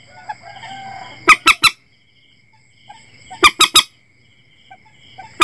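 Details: Common Moorhen calls used as playback for setting nets at night: sharp, harsh clipped notes given in quick triplets, the triplet repeated about two seconds apart, over a faint steady background hum.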